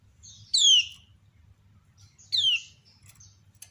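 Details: Female kecial kuning (white-eye) calling to draw answers from other birds: two loud, sharp, downward-slurred whistled notes about two seconds apart, with faint higher chirps between them and a low steady hum underneath.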